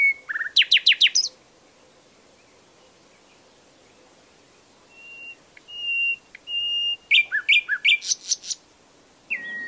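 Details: Varied nightingale song: a rapid descending rattle of sharp notes, a long pause, then pure sustained whistles on one pitch and a burst of loud, fast, mixed chirps.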